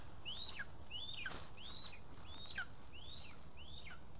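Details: A Lesser spotted eagle in Estonia on 2 August 2020, a day of many voles brought, gives thin, high, arched whistles, about six in four seconds, over a steady low rumble of wind or background noise.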